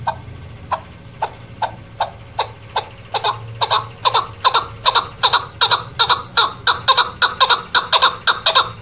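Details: A female chukar partridge (chakor) gives harsh, chuckling chuk notes, about two per second, speeding up and growing louder into a rolling series; the calls are used in hunting.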